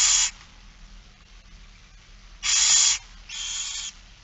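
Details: Barn owl at a feeding, recorded 8 September 2019 in Friesland: three loud, broad rasping hisses, the first and second each about half a second long, the third slightly quieter, separated by quiet gaps.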